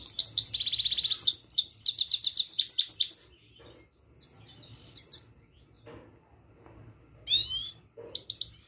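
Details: Himalayan goldfinch, locally called saira, singing: a fast buzzy trill of rapid repeated high notes for three seconds, then quieter pauses broken by short twittering bursts and chirps near the end.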